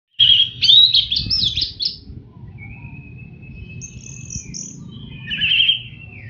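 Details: Orange-headed thrush in teler style, master song for training caged birds: rapid warbled, chattering phrases, then long thin level whistles and a final warbled burst, over a steady low hum.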